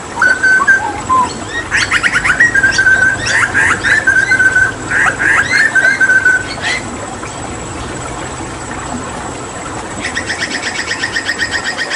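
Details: Hooded butcherbird from Papua, kept as a tutor for other songbirds, mixes held whistles with harsh buzzy bursts for several seconds, then falls quiet before a rapid rattling series of clicks.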